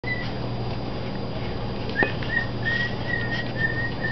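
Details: An adult male pet bird sings to his chicks of a couple of days old in the nest, giving short, clear whistled notes in quick succession over a few seconds, above a steady low hum.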